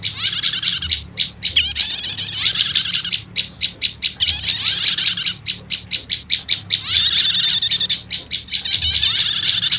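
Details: Combination lure of prenjak lumut and prenjak setater for attracting wild prenjak lumut: three long shrill buzzing trills, each separated by a string of evenly spaced, sharp ticking chirps.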